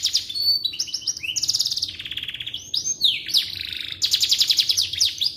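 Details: Song of a canary, offered as a master recording for magpie robins: varied rolling trills shifting between pitches, falling slurred notes around three seconds, then dense rapid chattering to the end; faint low background hum.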